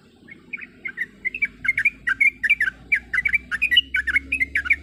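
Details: Female sooty-headed bulbul calling to a male while in breeding condition, giving a rapid series of bright bubbling chirps in short twittering bursts, growing louder and denser toward the end; faint low hum behind.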